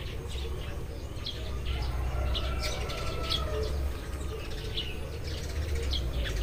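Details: Eurasian tree sparrows chirping as morning comes, with clipped high notes dotted unevenly through the stretch, some in pairs, while a faint sustained whistle and low background rumble continue.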